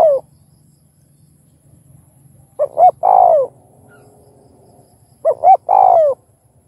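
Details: Spotted dove song from a set covering thúc, gù and gáy gọi styles, played to stimulate other doves. Two full phrases, each two clipped notes and a long descending coo, spaced about two and a half seconds apart, with a low steady hum.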